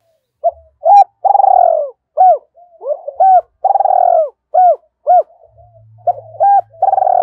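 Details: Spotted dove decoy, prompted to coo. An almost unbroken series of mellow coos, with several long burring rolled notes among short arched ones. A low hum sounds near the end.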